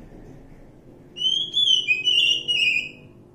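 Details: Wild Oriental magpie-robin giving one sustained, sweet whistled phrase with a slight wavering fall, heard over faint low background noise.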